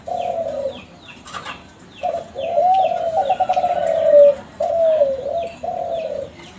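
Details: Young captive Kelantan spotted doves from a champion contest line, played as a lure to set other doves calling: low, burry coos in long phrases, several overlapping and breaking into rolling notes, with thin high chirps of other small birds behind.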